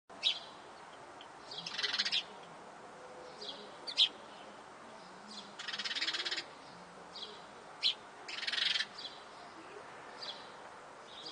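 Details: A family of sparrows feeding on a terrace, the young siblings vigorously squabbling over food: harsh, raspy begging bursts, each about a second long, every two to three seconds, with short sharp chips between them. Finding: sparrow.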